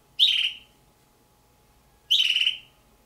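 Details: Juvenile Damara red-billed hornbills, two kept as pets, give two loud, harsh, high squeals about two seconds apart, the second with a slightly stuttering texture, over a quiet hum.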